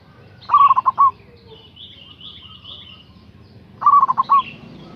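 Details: Local zebra dove calling actively, recorded as a lure for rivals. Two bubbling five-note cooing phrases about 3.3 seconds apart, with thin high chirps from other birds between them.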